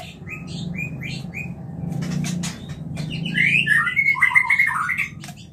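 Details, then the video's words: Mating call of a white-rumped shama, played as a lure for breeding: short repeated whistled notes, then a tumbling run of bright slurred whistles and twitters over a steady low hum and scattered clicks. "MURAI KAWIN suara Jernih"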